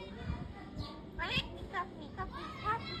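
A myna imitates human speech, saying 'baba' in short voiced, speech-like syllables, with other voice-like chatter nearby.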